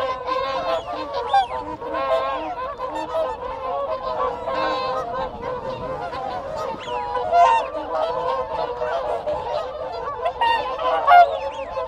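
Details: Long spell of whooper swan contact calls in a group at close range: constant chatter of honking voices, occasional sharper notes and whistles from Wigeon, with Canada geese calling behind.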